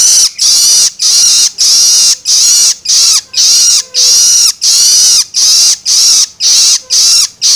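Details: Young long-tailed shrike giving begging calls meant to stimulate adults: loud rasping screeches, each under half a second, repeated about every 0.6 seconds in a long, even run.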